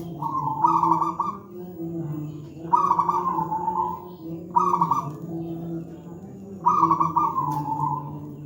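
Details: Zebra dove, local wild-type bird, singing a deep, thick, loud song used as a master for training young birds: rolling trilled coos near one kilohertz, each phrase trailing off, repeated about every two seconds over a steady low hum.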